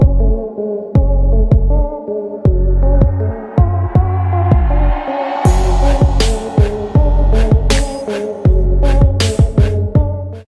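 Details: Throbbing electronic music with a heavy bass line and regular beats, with no animal voice. Sustained low tones and sharp percussive hits fill the whole passage.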